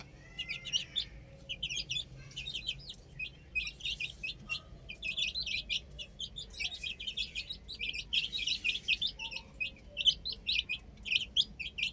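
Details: A group of baby chickens playing on a roof chirps continuously, with rapid clusters of short shrill peeps rising and falling, some louder bursts midway, over soft background noise.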